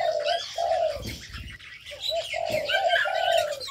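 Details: Birds in an aviary: two groups of low cooing notes with a gap between, beneath dense high-pitched chattering and tweets, plus light wing flutters.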